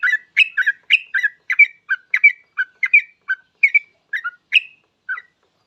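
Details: Lively yellow-vented bulbul singing, meant as a lure to make other bulbuls call quickly; a dense run of throaty, bubbly doubled notes and bright whistles, slowing to single notes at the end.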